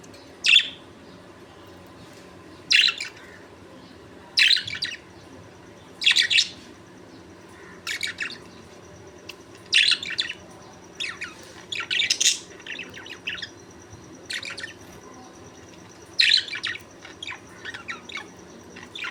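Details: Budgerigars in the morning give bright, scratchy chirps in short bursts, repeated every couple of seconds.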